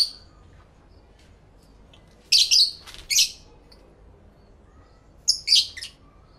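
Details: Lovebirds calling to each other, recorded live in stereo: a few sharp, harsh high chirps in two short clusters separated by a few seconds of near silence.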